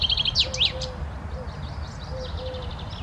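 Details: Common chaffinch singing in Romania: a quick run of high repeated notes dropping into sharp descending slurs, with a softer bird trilling after, over low rumbling background noise.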